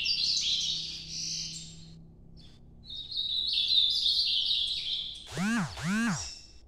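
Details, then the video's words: Ultramarine grosbeak giving a Nordeste-style night song: two warbled, sliding high phrases separated by a pause, followed by two loud arching swooping sounds near the end. "Canto Nordeste Azulão Noturno"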